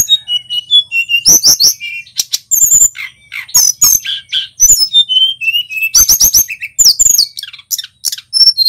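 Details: Male local Sunda robin (tledekan gunung) in full vigorous song, meant as a training lure for other songbirds: a rapid medley of high whistled notes, sliding trills and sharp clicking bursts, with scratchy chatter around the first and sixth seconds. No other sounds.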